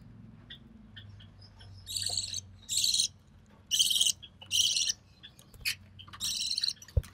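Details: Recessive pied budgerigar chick, hatched early June 2020, lone survivor of three, from a white recessive pied male and albino red-eye female, being fed by its mother: harsh, raspy hissing bursts, about half a second each, repeated irregularly with soft clicks between.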